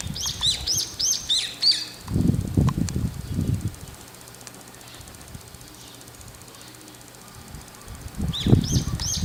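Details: Brown-eared bulbul on an antenna, looking around, repeatedly giving its "hii-yo" ground call: a quick run of shrill, squeaky, down-slurred notes, falling quiet, then calling again near the end; low buffeting thumps between.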